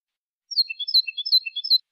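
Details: Copia malaga song of a European goldfinch, prepared to tutor young birds: one clean burst of quick, bright twittering and tinkling notes lasting just over a second, high-pitched and rhythmic, on a silent background.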